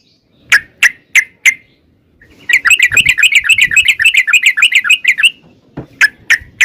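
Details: Sooty-headed bulbul in long fast 'ropel' song played to draw answering birds: a few separate chirps, then a dense bubbling chatter of rapid warbled notes lasting nearly three seconds, then more single chirps.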